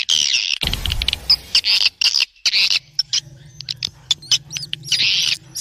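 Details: Swiftlet sound used to attract swiftlets: bursts of high, scratchy twittering chirps separated by pauses, with a low steady hum beneath the quieter middle section.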